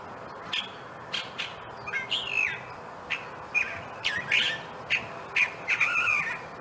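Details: California thrasher singing in a native-plant wilderness preserve in Monrovia, California, with a song likened to a mockingbird's: changing phrases of harsh chips, slurred whistles and buzzy notes, irregularly spaced, some repeated twice.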